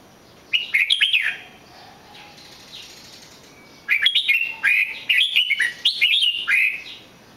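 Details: Red-whiskered bulbul song: a short burst of bright whistled notes, then a quiet pause with faint soft notes, followed by a rapid string of chirpy, rollicking whistled phrases.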